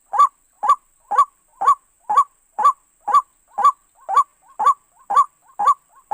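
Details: White-breasted waterhen call used in bird trapping: twelve steady, nasal, rising notes at about two per second, with softer short notes slipping in between the later ones.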